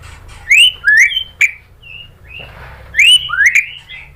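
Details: Lure song of a white-rumped shama, meant to provoke a reply: a few bright upslurred whistles and short level notes, then a pause and another pair of sweeping rising whistles.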